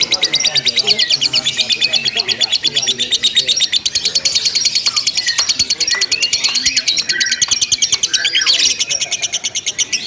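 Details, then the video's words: Ngekek chattering from a lovebird in a mock song contest: shrill, fast, stuttering trill held continuously, with sharp squeaky notes near the end and soft low background sounds. "LOMBA LOVE BIRD TERBARU 2025 NGEKEK TANPA JEDA DURASI PANJANG"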